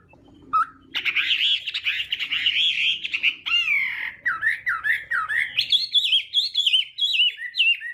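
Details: Morning fighting song of a Chinese hwamei trained to provoke singing: a short upslur, then a long wavering warble, then looping whistled notes that rise into fast repeated downslurred phrases.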